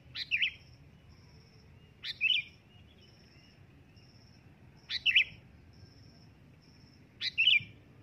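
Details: Loud sooty-headed bulbul calls: four liquid, bubbly chirp phrases spaced about two to three seconds apart, each with a sharp rising start. Low background noise and a faint intermittent high whine are also heard.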